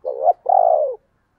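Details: Calling spotted dove, 2022, thúc plus gáy gọi style: a wavering rising opening note, then a sustained, slightly buzzy coo slowly falling in pitch before stopping abruptly; background otherwise quiet.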